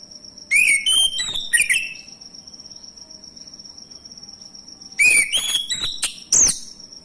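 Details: Male orange-headed thrush singing as a lure to get other birds singing: short clusters of clear whistled notes stepping upward, then a long silent gap before another quick sequence of whistles and sharp chips, with a constant high whine behind.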